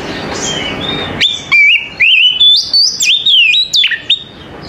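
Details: Morning song of an Oriental magpie-robin, a string of clear whistled notes with quick rising and falling slurs and a few sharp upslurs, starting after a second of soft hiss.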